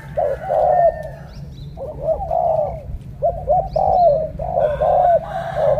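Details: Spotted dove in Cà Mau, eager and vocal in the morning, cooing in the 'thổ cọp' style: loud, hollow, rounded coos in groups, each phrase bending up and then falling away, with a faint hum underneath.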